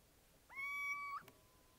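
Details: A single call from a little owl, a plaintive mewing note that swoops up and then holds steady for about half a second before a slight upturn at the end, followed by a faint click.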